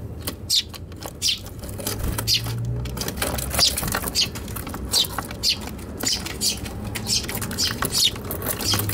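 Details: Eurasian tree sparrows in a fight inside a box on a balcony, Tanabata 2021, recorded on an RX100M5A; dense run of quick high chirps and scratchy pattering, with low background rumble.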